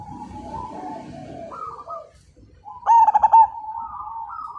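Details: Majapahit-line zebra dove, a lively fighter-type singer said to set other birds singing. A soft, wavering cooing phrase rises, pauses briefly, then breaks into a loud burst of quick rolling pulses before a final rising coo.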